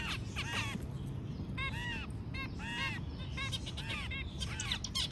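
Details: A white zebra finch, filmed while mating, sings in quick bursts of nasal, arched notes, its courtship song over low background rumble.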